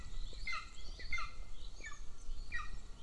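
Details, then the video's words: Younger golden eagle chick begging at a nest camera in Northern Estonia while its elder sibling is fed by the female; a few sharp, descending chirped notes over steady low rumble. "LIL CHICK BEGS WHILE ELDER IS FED"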